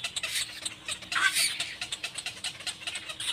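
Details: Little black cormorant mother with chick: hoarse, buzzy chatter broken by a brief higher squeal, the rasping pulses repeating fast and unevenly throughout.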